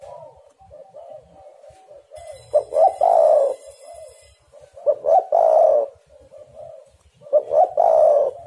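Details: Spotted dove calling as a lure to set other doves singing: soft low cooing runs throughout, broken by three louder phrases roughly every two and a half seconds of stuttered notes ending in a long throaty coo, with a faint hiss behind.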